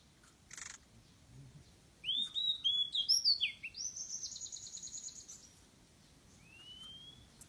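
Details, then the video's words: Oriental magpie-robin lure song, fainter against a steady background hiss. Slurred rising and falling whistles lead into a buzzy rattling trill. After a pause, a lone thin rising whistle follows. "kacer daput pikat"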